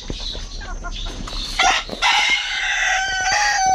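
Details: Brahma bantam at a Malaysian pet aviary, imported quality birds; a few quick clucks lead into a long, steady, harmonic drawn-out call lasting nearly two seconds, amid shop background noise.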